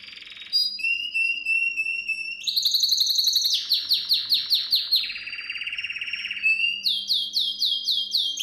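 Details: Song of a canary used to train young birds. Short whistled notes lead into dense buzzy trills, rapid repeated descending sweeps, a lower rolling tour and closing upswept chips, loud and continuous.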